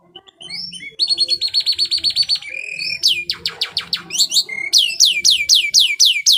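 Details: Energetic canary song in the luxurious 'cengkok mewah' style, a training master for other birds: a dense rapid trill of short notes, a low flat whistle, then loud repeated falling sweeps about four per second, varied phrase to phrase.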